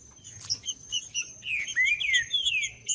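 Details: Green-winged saltator in woodland, recording played to warm up a cold bird; slurred, descending whistles fill the middle of the clip among rapid high chirps from other small birds and a steady thin high whine.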